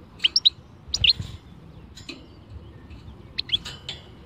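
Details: Khalwi-style song from a European goldfinch: a burst of quick high tinkling notes, a pause, then another short cluster of sharp chirps and a buzzy trailing note.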